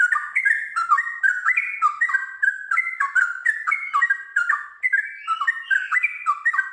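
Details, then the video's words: Sooty-headed bulbul singing in the melodious gacor manner, ngiwir style continuing into a long ropel: a rapid, unbroken chain of liquid, warbling whistled notes that step up and down in quick rolling phrases. "TRUCUKAN GACOR ngiwir lanjut ROPEL PANJANG"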